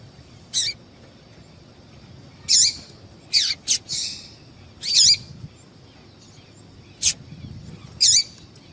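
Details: Female yellow-bellied seedeater calling to excite males: sharp, high chirps and short buzzy notes, given singly or in pairs a second or two apart, with quiet gaps between.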